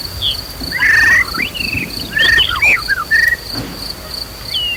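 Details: Emotional white-rumped shama song meant to provoke rival birds into singing. Loud slurred whistles and buzzy phrases come in separate bursts, with a constant shrill insect tone and faint natural background.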